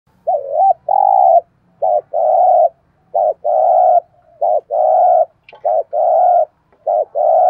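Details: Spotted dove kept as a decoy bird to lure wild doves, cooing in repeated phrases: a short note then long steady mid-pitched coos, about nine bursts over seven seconds with brief gaps.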